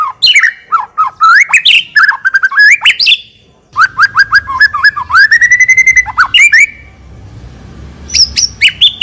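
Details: Lure-quality White-rumped shama in full, varied song: long flowing phrases of whistled notes, dropping slurs and rapid high trills, a brief pause, then a rising chattering trill and further sharp notes.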